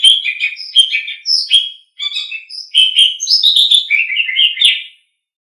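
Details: Asian pied starling song for training pet songbirds: jumbled, chattering whistles and squeaks, a brief pause, then a lively run of rising and falling notes ending in silence.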